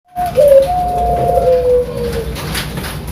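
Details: Bangkok-type zebra dove (perkutut) from a bird farm in Sidoarjo, East Java, singing in the prized 'pakem' style: a clear mid-pitched whistled note, then long smooth cooing tones that slide gently downward over about two seconds, in a small room.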